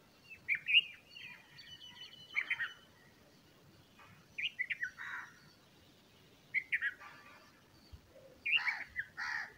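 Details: Bulbul chicks being fed by a parent give bursts of short, high, chattering chirps in clusters every two seconds or so, some notes harsh and buzzy, over a quiet rural background.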